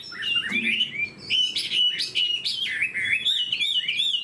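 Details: Caged fan-tailed Chinese hwamei, described as a good fighter, singing a rich, loud, fast-changing run of whistled and slurred phrases that jump up and down, with short buzzy notes mixed in and brief pauses.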